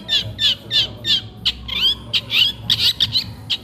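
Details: Long-tailed shrike in full song while it eats, kept as master material for training: harsh chattering notes repeated about three a second, mixed with short rising whistles and scratchy bursts.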